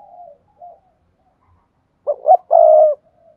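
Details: Spotted dove call used to prompt silent doves to coo: faint soft coos first, then a loud phrase of two short throaty notes and a sustained low coo.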